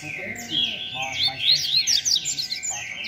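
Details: Rusty-collared seedeater in competition, singing the 'beco' song style: rapid chattering phrases of high, sharply slurred whistles and buzzes packed closely together, with a faint steady tone behind.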